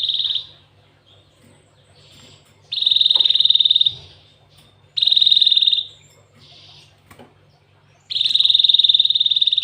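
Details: Canary-filled song of a cinereous tit: dense rapid trills held at one high pitch, four strong bursts of roughly one to one and a half seconds with short gaps, over a low background hum.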